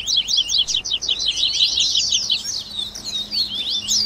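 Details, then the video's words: Warm-up chorus to make a captive double-collared seedeater sing: steady, rapid high-pitched chirping and trilled zigzag notes, dense from start to finish. "Baderninha de Coleiro Top FAÇA SEU COLEIRO CANTAR em 30 Minutos - Esquenta de Coleirinho!"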